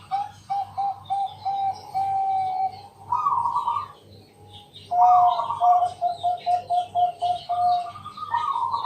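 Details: Zebra doves of the local Bangkok type singing at night to lure others into song; series of short, evenly spaced coos alternating with brighter trilled phrases from a second bird, over a soft pulsing hum.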